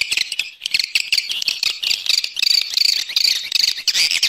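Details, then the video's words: Swiftlets in external sound recording: quick, shrill twittering chirps repeated nearly three times a second, with thin piercing whistled notes woven in. "Free Swiftlet External Sounds"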